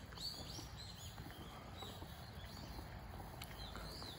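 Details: Common kingfisher at Zenpukuji Park, recorded on a smartphone fitted with a telephoto lens: thin, high whistled notes, short and downward-curving, several scattered across four seconds over a steady low rumble of background noise.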